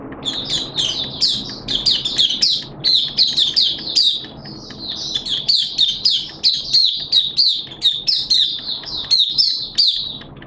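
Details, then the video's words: Hobby-kept Malaysian white-eye in sustained open song, recorded 21 June 2023: continuous chattering stream of high, bright chirps and slurred whistles, phrases rising and falling quickly, steady and energetic throughout. "Malaysian Mata Puteh Buka Sing"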